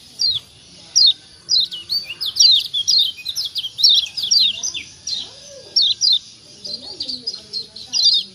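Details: A Lombok white-eye called kecial kuning, recorded to stimulate quiet birds to call: steady sequence of high, falling chirps, mostly in small rapid groups roughly every half second to second, with faint low sounds underneath.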